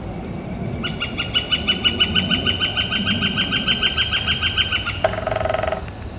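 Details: Northern flicker calling on April 28 2014, a warm, clear spring day: a steady, fast train of about twenty ringing notes lasting four seconds, followed by a short lower, buzzy sound.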